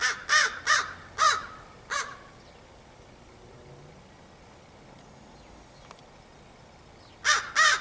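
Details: A crow recorded 30 August 2015 gives a run of four or five harsh, evenly spaced caws. After a long quiet stretch with soft outdoor hiss, two more caws come.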